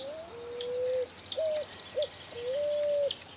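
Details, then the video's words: Pigeon or cuckoo song from 2018: a long drawn whistle followed by short whistled notes, the phrase repeating, with a faint high ringing background and occasional distant chirps. "Cantos y gritos de aves Familias Columbidae y Cuculidae"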